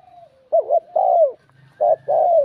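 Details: Spotted dove giving a bell-voiced urging coo meant to provoke rival males: two mellow, low phrases, each a quick wavering double note then a long falling coo, about 1.3 seconds apart, over a faint low hum.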